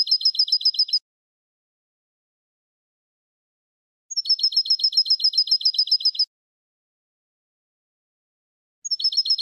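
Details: Tutor recording of European goldfinch song for young birds, in the eco style without endings or finales: three bursts of fast, evenly spaced, high twittering notes, each one to two seconds long, separated by clean silences.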